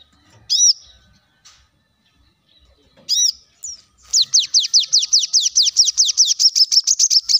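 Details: Plain-throated sunbird lure song meant to prompt other birds: two loud arched high notes several seconds apart, then a long rapid trill of around twenty sharp high notes lasting over three seconds.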